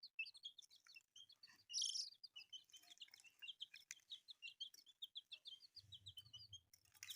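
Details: Newly hatched chicks, colourful, peeping in a dense chorus of short high chirps, many birds overlapping in rapid runs, with a brief rustling burst near the start.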